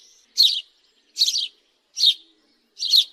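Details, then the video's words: Four loud, buzzy chirps from a house sparrow, evenly spaced about two-thirds of a second apart, each a short harsh burst. "Sparrow bird call-صوت عصفور الدوري"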